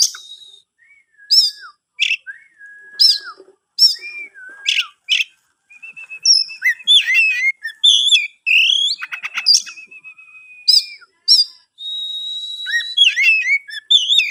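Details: Captive-bred Oriental magpie-robin in Kebumen sings spaced sharp whistled phrases with downward slurs, then a busier stretch of held whistles, buzzy rattles and rapid varied notes, with brief silences between phrases.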